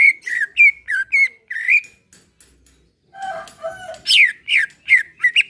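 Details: Greater green leafbird song used to set off caged birds: several bright slurred whistles, a short pause, a lower warbled phrase, then loud falling and rising whistles again.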